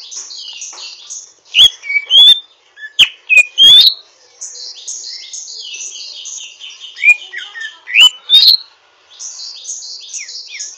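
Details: Greater green leafbird, learning to sing, twittering roughly: bursts of whistled upslurs and clicks alternate with long stretches of high, rapid scratchy chatter.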